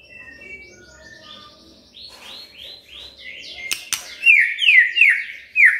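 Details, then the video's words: Magpie-robin song used to stimulate a quiet bird: soft whistles and buzzy notes at first, a couple of clicks, then four loud, clear downslurred whistles repeated in quick succession. "Pancingan Murai DIAM Agar Rajin Bunyi"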